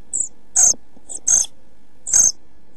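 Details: Nest-box recording of European pied flycatcher nestlings aged 11-12 days, nearly ready to leave the nest, 29 June 2013: high, thin drawn-out hisses paired with loud rasping bursts, three main bouts in under three seconds.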